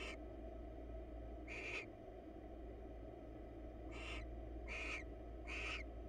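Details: In a monitored nest box, a wild barn owl pair preens each other's feathers; four rasping hissed screeches, one early then three in quick succession near the end, over a steady low hum.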